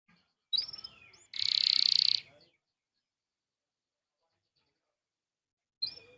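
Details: Canary song used to prompt other canaries to sing: a few whistled sliding notes, then a dense rapid rolling trill lasting about a second, a long silence, and another whistled phrase at the end.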